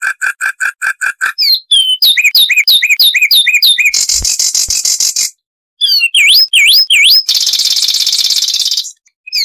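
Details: Song of the Zapata wren, a Cuban bird of scrubby lowlands: a series of evenly spaced clear notes, a run of looping upslurred whistles, a buzzy trill, more V-shaped whistled loops and a closing rapid trill.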